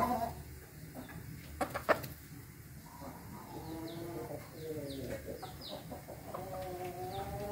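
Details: An Ayam Ketawa rooster gives a long crow broken into rapid, stuttering, laugh-like notes, recorded 20 May 2024; small birds chirp faintly behind, with a few sharp knocks.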